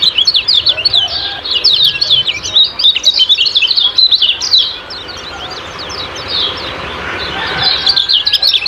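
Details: Kecial kuning ciak-ciak twittering, meant for daily bird training: lively high rapid chirps for the first half, fading to a quieter lull, then resuming near the end.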